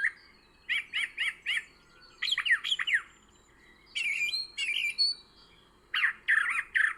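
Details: A Brown Thrasher flitting from bush to bush along the ground by the Ohio and Erie Canal towpath in Ohio in April 2020 calls in bursts of loud, rich, slurred notes in short groups, some repeated three or four times.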